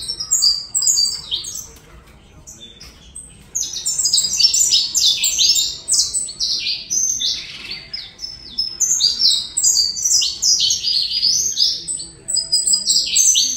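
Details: Colombian-style song of a saffron finch: after a faint opening, a long energetic stream of sharp, high descending chips pours out, densely packed and repeated for many seconds.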